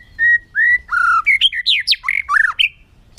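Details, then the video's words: A murai (magpie-robin or shama) sings a quick run of clear, varied whistles, each note sliding up or down, about a dozen in three seconds; song used to provoke quiet male murai into answering. "SUARA KICAUAN BURUNG MURAI"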